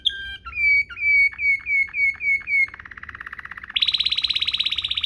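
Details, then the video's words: Waterslager-style canary rolling song as a tutor recording for canaries: a short high note, then six swelling whistled notes about every third of a second, a softer bubbling roll, and a loud rapid high roll. "NGEROL MEWAH ala WATERSLAGER, cocok buat Masteran burung kenari cengkok mewah"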